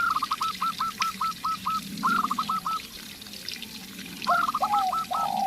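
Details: Local zebra dove (perkutut), a lively singer, recorded alongside a spotted dove decoy used to coax calling. It gives rapid staccato trills of short clipped notes, repeated in bursts. A lower, longer cooing phrase joins near the end.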